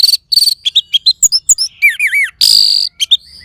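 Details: Orange-headed thrush (anis merah) therapy song: a dense, fast medley of high chirps, warbled wavering phrases and a loud sustained buzzy note, all packed into a few seconds.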